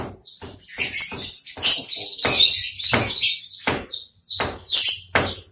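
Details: Long-tailed shrike singing right after its cage cover is removed: scratchy, chattering bursts of high, harsh notes, each about half a second long with short pauses, in a small room.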